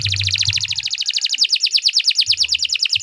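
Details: Canary song used as a master recording for training other birds: fast rapid trill of high repeated notes, about three per second pulses merging into a continuous rolling series, with low hum beneath.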